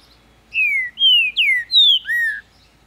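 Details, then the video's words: Captive green-winged saltator from Ribeirão das Neves, Minas Gerais, Brazil, singing a phrase of five clear whistled notes, each sliding downward, the last one lower, over a quiet background. "Trinca-ferro cantando muito quente! Abrindo canto!"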